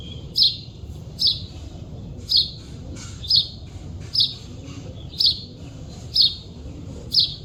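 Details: Chidiya bird in the wild: eight bright, high, quick chirps at near-regular intervals of about one second, each a brief downward slur, over gentle background hiss.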